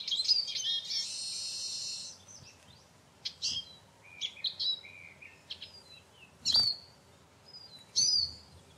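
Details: Eurasian siskin giving high, thin twittering notes, opening with a drawn-out buzzy wheeze lasting about two seconds, then scattered sharp chirps and two loud, slurred whistled calls near the end, over a quiet background.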